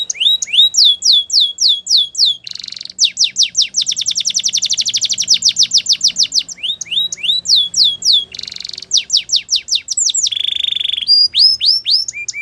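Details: Spanish Timbrado canary song used for training young canaries: rapid runs of high, downslurred notes and fast metallic rattling trills, with a brief steady whistle near the end.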